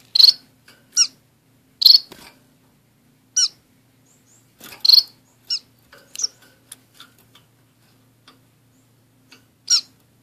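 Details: Two pet orange-cheeked waxbills, kept in a small cage with a society finch, give high, thin, sharp chirps, singly or in quick pairs at irregular intervals, over a faint low hum.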